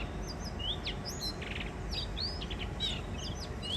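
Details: First spring song of 2023 from a wild mated pair of blue rock thrushes visiting a balcony in Shonan, Japan: rapid looping whistled phrases with swooping notes and one short raspy burst, over constant low background noise.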